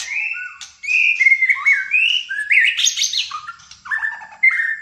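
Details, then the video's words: Malaysian white-rumped shama in fighter-style full song: loud sweet whistled notes and slurs, then a high scratchy flourish and lower warbled phrases, nearly unbroken. "MURAI BATU MALAYSIA GACOR FIGHTER"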